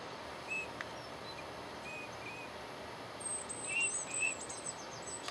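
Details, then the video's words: Teal during a courtship display, giving short, clear whistled notes at about 0.5, 1.9, 2.3, 3.8 and 4.3 seconds over a steady outdoor background hiss, with faint high chirps near the end. "Teal Courtship Display"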